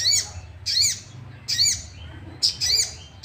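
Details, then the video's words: Sooty-headed bulbul provocation call used to make other bulbuls sing: three or four high, sharp arched notes spaced roughly a second apart, with a quiet background between them. "Pancingan emosi burung sogok ontong"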